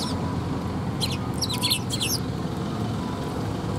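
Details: Sparrows coming to be fed at a Tenmangu shrine on 2 November 2021; a quick cluster of thin, high chirps in the middle second, set against a steady low rumble of traffic.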